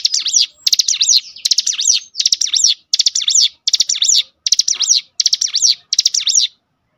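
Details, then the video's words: Song of a cinereous tit used to trigger other birds to sing: eight even, loud phrases of rapid, sharp high notes with zigzag sweeps, roughly 81 a minute, ending in silence. "spontan emosi Cigun manapun langsung gacor dengan pancingan ini"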